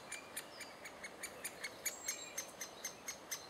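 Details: Great spotted woodpeckers in June 2011, adults feeding their chicks: a steady run of hard, ticking notes, several each second, over faint whistling from other birds.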